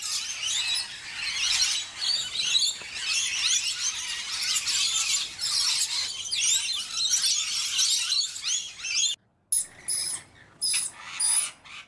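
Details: A flock of rainbow lorikeets bathing and feeding, giving a steady wash of high, hissy screeching chatter, then a short break followed by separate sharp shrieks.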